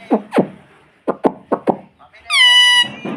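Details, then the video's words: Pet rose-ringed parakeet indoors mimicking human speech, saying mommy: several short voiced syllables in quick succession, then a loud clear whistled tone with rich overtones lasting about half a second. "Bolne wala tota || talking parrot || mummy bolne wala tota"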